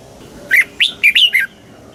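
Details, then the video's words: Single phrase of red-whiskered bulbul song, Thailand, in the southern master style for exciting caged birds and tutoring young: five liquid whistled notes in quick succession, dipping slightly in pitch at the end. "เสียงนกกรงหัวจุก สำหรับต่อ หรือ เปิดให้นกคึก"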